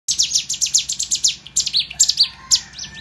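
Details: Sunda warbler (ciblek gunung) learning to fight: rapid series of high, thin, downslurred chirps about five per second, then a looser stretch of sharper notes with a faint steady whistle behind.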